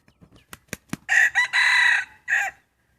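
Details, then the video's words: Rooster roaming free to eat grass and weeds in Hmong hillside fields beside forest; a few sharp clicks, then a full, strong crow: two short harsh notes, a long sustained middle note and a brief final note. "Tso qaib noj nyom thiab nroj ua si(ฟังเสียงขันเพราะ)"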